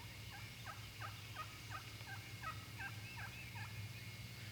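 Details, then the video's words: Eastern wild turkey in the Midwest, spring mating season morning: a hen's tree call from the roost, a run of about a dozen hoarse yelping notes, roughly three a second, with gobblers responding, over a steady low rumble. "As the hen calls, the gobblers respond."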